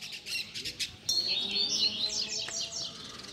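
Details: Double-collared seedeater teaching song for young birds: a burst of high warbled notes, then rapid repeated downslurred chips and buzzy trills, with a sharp click and faint low noise behind.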